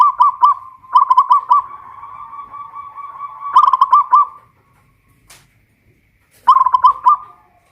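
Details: Local Pajajaran-type zebra dove from Kuningan, West Java, a caged bird singing loudly from a hoisting pole: three bursts of rapid, rolling, pulsed coos, each about a second long, separated by pauses, in a quiet room.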